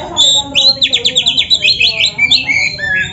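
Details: Black-breasted kacer delivering canary-style phrases in a training recording, meant to spur other birds: a high whistled note followed by a quick series of regular, rolling trill notes and a twittering finish.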